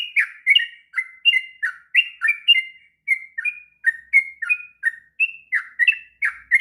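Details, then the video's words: Sooty-headed bulbul giving a long, continuous ngropel song used as a master recording to train young birds: rapid, bubbly, slurred whistled notes tumbling up and down without pause, with no other sounds. "kicauan trucuk ngropel panjang"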